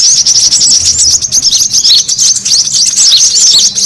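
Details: Lure sound of the brown-throated sunbird, played to attract birds. Busy, continuous stream of sharp, high tweets and rapid twitters, closely overlapping and restless in rhythm.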